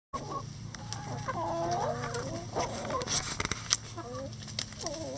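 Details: Backyard laying hens in their run, eating banana leaves, give a busy run of clucks and short harmonic, wavering calls, several birds overlapping, with scattered clicks and soft rustling throughout.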